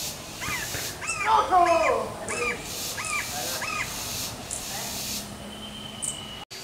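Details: Green-barred woodpecker giving a run of about six harsh, evenly spaced calls, roughly two per second, with a louder overlapping squawk near the start, over a steady high insect drone.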